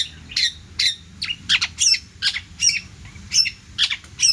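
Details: Long-tailed shrike singing hard with an abundant variety of phrases for training songbirds: clipped harsh notes topped by thin high whistles, roughly two to three per second, irregular.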